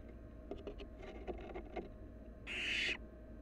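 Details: Wild barn owl at a bird camera site, free to come and go: one harsh, broadband hissing screech lasting about half a second near the end, after a run of soft tapping and scratching sounds.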